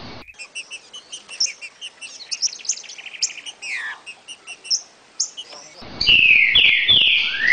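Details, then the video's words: Trinca-ferro, the green-winged saltator, in the "60 boi" training song: a long string of short, high whistled notes, then loud, sweeping slurred whistles toward the end. "TRINCA FERRO 60 boi pra treinar filhotes"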